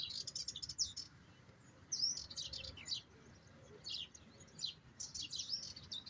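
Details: Goldfinch giving high, thin twittering song, with short buzzy chirps in clusters separated by brief pauses, fairly faint against a steady low background noise.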